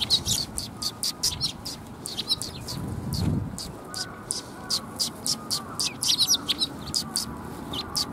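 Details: A flock of sparrows coming for food at a Tenmangu shrine, recorded 14 March 2021, chirps rapidly and continuously in dense high notes, with a brief low rumble near the middle.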